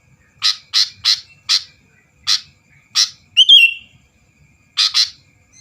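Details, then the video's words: Sooty-headed bulbul singing hard to goad rival birds into song: a string of sharp, rasping chirps spaced irregularly, broken by one twisting whistled note, with quiet gaps between. "burung kutilang gacor bikin lawan lngsung emosi dan ikut gacor"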